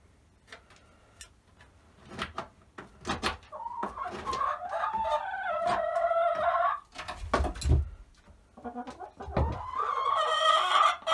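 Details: Indoor coop with newly added nesting boxes for the hens: irregular sharp taps and knocks, then a long, wavering, nasal squawking call for about three seconds, more knocking, and another rising drawn-out squawk near the end.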